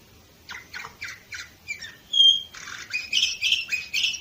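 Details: Canary recorded in 2018 in Varna, Bulgaria, singing a series of rapid buzzy trilled syllables, then a pure whistled note and dense, loud chattering rolls.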